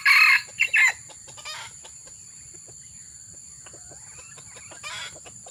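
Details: Red junglefowl crowing during an effort to lure wild junglefowl: loud, harsh, buzzy bursts at the start, then fading into quiet with faint scattered clicks and a steady high hiss.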